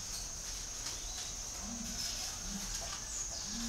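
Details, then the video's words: Spotted dove calling with a series of low, soft coos. They come in short spaced phrases over a steady, high-pitched whine and light background hiss. "chim cu gáy gọi"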